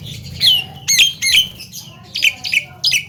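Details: Javan myna, a bird said to imitate talking, coughing and laughing, producing harsh, squawky, speech-like notes in short bursts, some sliding downward, with brief gaps between them against a quiet low hum.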